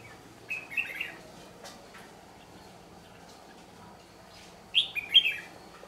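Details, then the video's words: White-cheeked red-whiskered bulbul of the ché style at a trapping site, giving two brief, bright, warbling chirp phrases several seconds apart, separated by near-silence with faint low hum. "Bẫy chào mào Siêu phẩm má trắng ché"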